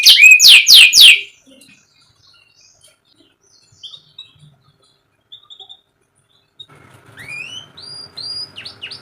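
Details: Canary song for encouraging a reluctant canary to sing. A loud rapid cluster of falling notes is followed by a quiet pause with faint chirps, then soft rising whistled notes over a faint hum.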